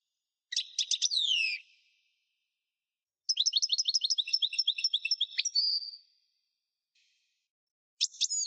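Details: European goldfinch singing, played to stimulate caged birds to sing: a short burst of sharp downslurred notes, a pause, then a long liquid twittering phrase ending in a drawn-out note, then another burst begins.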